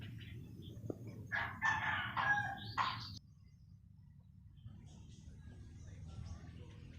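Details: Red junglefowl rooster, one of several caged decoy cocks crowing on a cold, overcast day, gives a single hoarse, broken crow of several strained syllables lasting about two seconds, followed by low background rumble.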